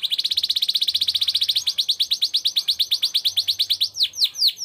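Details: Vigorous canary song in the ornate cengkok mewah style: a rapid high rolling trill that gradually slows into longer, sweeping downward whistles, each repeated in quick succession.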